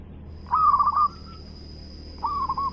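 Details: Local zebra dove in strong song: two short rolling coo trills, the first louder and longer, a second quieter phrase after a pause, with a faint steady high-pitched whine behind.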